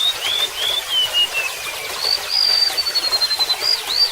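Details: Remetuk laut, or golden-bellied gerygone, sings wavering high whistles that fall away, then a drawn-out level high note gently descending and two brief upslurs, with water trickling behind.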